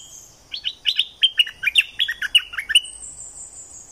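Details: Streak-eared bulbul from southern Thailand singing vigorously: a rapid string of about a dozen bubbly, slurred chirps, roughly four per second, followed by a thin, steady high whistle that fades out.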